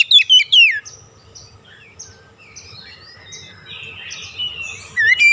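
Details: Oriental magpie-robin song used to stimulate a stressed, silent bird: a quick opening burst of falling whistles, a stretch of faint soft warbling, and a closing rising whistle.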